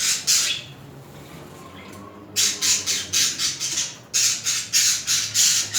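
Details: Mating budgerigar pair: loud harsh rasping squawks repeat in rapid series of about four per second, broken by short quiet pauses.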